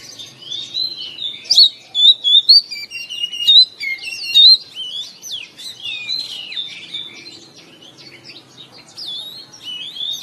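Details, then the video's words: Morning therapy recording of Oriental magpie-robin, meant to stir kept birds into song: bright, rapid whistles and twittering slurs, loud bursts early, then softer continuous warbling. "TERAPI KACER BIKIN RAMAI OCEHAN DI PAGI HARI"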